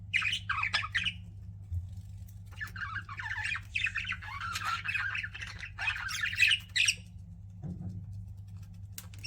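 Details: Pet budgerigars chattering: rapid grating squawks and wavering chirps run in long, uneven phrases, with short gaps and a faint low hum throughout.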